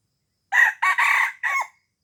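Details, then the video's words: Red junglefowl from Aceh, Indonesia, crowing, a call used to lure wild junglefowl: four harsh, loud bursts within about a second and a quarter. The last burst bends downward. Silence before and after. "Ayam Hutan Aceh # Pikat Ayam Hutan Ori"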